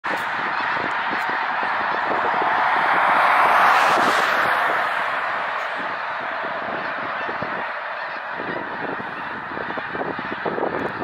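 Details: Migrating snow geese at a gravel quarry near Winchester, Ontario, on November 16, 2024: a dense, continuous chorus of many honking, yelping calls that swells to a peak near the middle and then carries on steadily.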